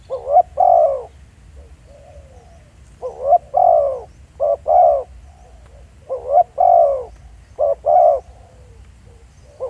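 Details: Decoy spotted dove at Pha Sing, Thailand, recorded on site: a repeated hoarse cooing song. Paired quick notes lead into long falling coos, with phrases coming every two to three seconds and quiet murmured notes between them.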